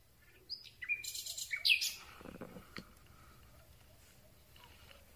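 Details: Common Nightingale singing at night, microphone on a telescopic pole among thin branches: a phrase of high whistles, a loud buzzy rattle and sliding notes, followed by a low rustling rub and faint distant notes.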